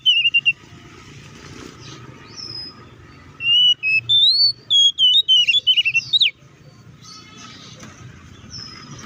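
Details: Oriental magpie-robin fighting song used to stir up rival birds: after a brief note, a three-second string of bright, jumping whistles and rapid warbles over steady low background noise, then fading to murmur.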